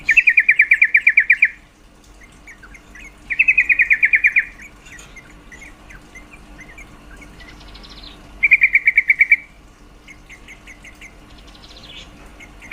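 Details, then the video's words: Yellow-vented bulbul female call, said to stir males' mating drive: three fast bursts of about a dozen rapid, chattering notes each, separated by quiet gaps, with faint softer chirps between. "Suara panggilan trucuk betina sangat efektif mendongkrak birahi trucuk jantan"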